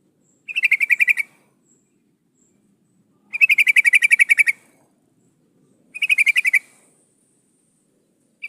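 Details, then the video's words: Female sooty-headed bulbul in breeding condition calling a male, with three bursts of rapid, evenly pulsed chattering a few seconds apart in otherwise quiet surroundings. "Suara Burung trucukan gacor memanggil lawang pancingan trucuk betina mmanggil jantan agar bunyi"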